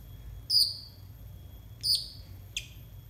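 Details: Konin song used to train untrained konin birds: three separate sharp, high whistled notes, each falling slightly in pitch, spaced more than a second apart against a quiet background hum.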